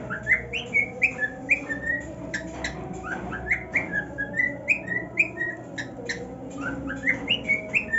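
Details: Male pet cockatiel singing happily on his new nest: short whistled notes near the same pitch, many with a quick rise or fall, repeated about twice a second, over steady low background music.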